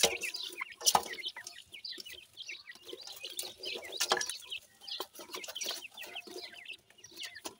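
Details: Feeding baby pheasants keep up a steady stream of thin, high chirps and little trills, several chicks calling at once over soft rustling.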